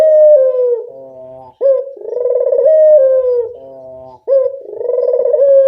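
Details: Barbary dove lure call, close and loud: continuous low purring coos, each long vibrating phrase broken by a short sharp upward note, repeated roughly every two and a half seconds.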